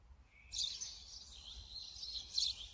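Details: Brown-eared bulbul, recorded with a Sony camera and 200-600mm lens, giving one drawn-out, harsh, high screech after a brief thin whistle, over faint low background rumble.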